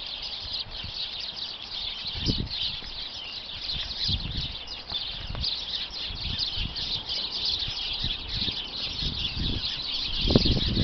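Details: A bush holding roughly twenty sparrows gives off a continuous flock chatter of rapid, high tweets layered over one another, while scattered low bumps and rumbles break in from nearby, one louder near the end.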